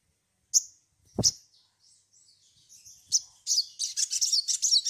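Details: Sunbird in a lure recording for prompting song: a few spaced, piercing high chips, then a rapid, accelerating run of thin twittered notes, with one dull knock nearby.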